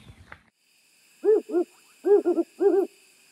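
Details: On a winter July Sunday morning at Lindsay Forest, KwaZulu-Natal, an African Wood Owl calls from a neighbouring property: mellow, low hoots in a spaced pair, a quick three and a closing double, over a faint insect hiss.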